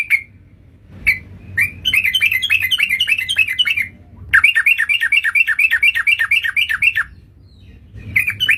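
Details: Yellow-vented bulbul calls used as a lure for trapping birds: bursts of rapid, chattering, rising-and-falling notes repeated in long runs with short pauses between, over a faint low hum.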